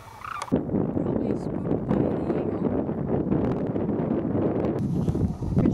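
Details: Thousands of wintering Sandhill Cranes returning to roost in the afternoon at Whitewater Draw, southeast Arizona, 2010, after feeding in fields: a dense, continuous chorus of rolling, rattling bugles, loud and unbroken after a brief quiet start.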